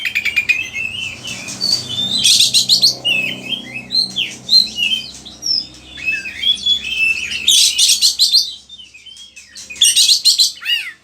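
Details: Oriental magpie-robin, Indonesia, singing a lure and tutor song for other birds: fast buzzy chatter bursts alternating with varied whistles and warbles, with a faint low hum.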